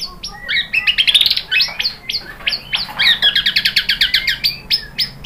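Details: White-rumped shama song meant to provoke other birds to sing: dense, rapid trills and sharp, chirping notes, some harsh, repeated in quick bursts throughout.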